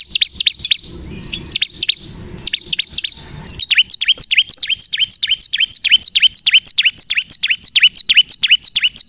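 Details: Lively bar-winged prinia song meant to lure birds and set other prinias singing: sparse high chirps over low rumbling noise, then a steady fast run of sharp descending notes, roughly three each second.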